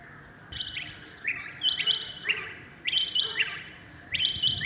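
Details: A rain quail calls early in the morning with a loud, sharp, metallic phrase, a lower note followed by paired high whistles, repeated about every one and a half seconds.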